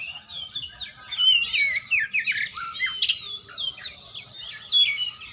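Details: Oriental magpie-robin (kacer) being trained, singing a dense, rapid stream of varied high whistles, chirps and slurred notes without pause, rich and loud throughout, over faint low background noise.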